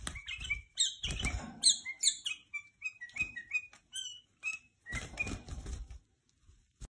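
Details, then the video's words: Pet white-eared bulbul, tame and kept indoors, delivers a lively string of quick whistled notes, several phrases repeating in a bouncy rhythm, broken by bursts of rustling and knocking, then falling quiet. "بلبل ابرق اليف"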